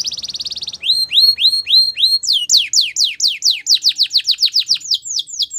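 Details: Morning song of a female Belgian canary: a short buzzing trill, then a steady series of rising whistled notes, followed by a long run of rapid, sharply falling high syllables repeated about four per second.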